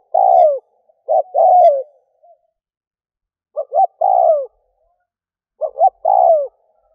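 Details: Spotted dove decoy cooing to attract doves: three phrases, each with brief double notes and a long descending coo. The phrases are spaced by gaps of one to two seconds in near silence.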